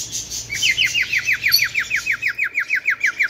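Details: Bengalese finch repeating crisp falling notes at a quick steady pace, each a short bright slur, the series sliding slightly higher toward the end.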